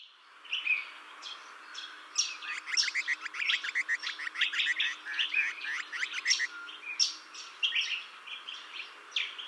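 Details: Juvenile Grey Butcherbird in a garden it has made part of its territory, drinking at a fountain and answering other territorial calls; a dense run of quick chirping and warbled notes, many short strokes packed together, over a quiet background.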